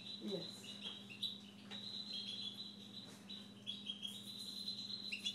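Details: Siberian goldfinch kept at home, delivering a continuous thin, high whistled warble with quick chirpy flourishes, a short human sound at the start and a constant low hum.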